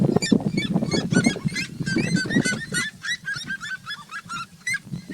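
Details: Trio of wild red-legged seriemas calling together while sunbathing, loud yelping notes repeated rapidly, overlapping voices with a rough lower cackle beneath.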